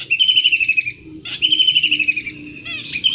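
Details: Wild long-tailed shrike giving two long harsh rasping rattles, rapidly pulsed and slightly descending, over a background of low hooting notes.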